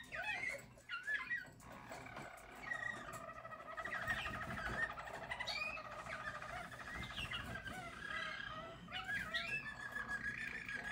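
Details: Song of a 2022 team of yellow Harz German Roller canaries: a steady, deep, purring roll that runs almost unbroken, with occasional brief rising whistles over it.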